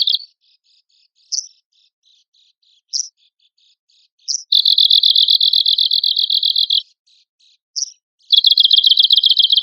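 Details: Arctic warbler song used as training material for songbird contests: fast, dry, even trills high in pitch, each running about two seconds, alternating with sharp single chip notes and short pauses.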